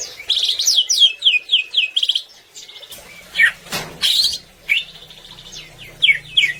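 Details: Greater green leafbird singing vigorously, used as a tutoring recording to get other birds singing: fast runs of slurred rising and falling whistled notes, then harsh broadband bursts and more sweeping phrases.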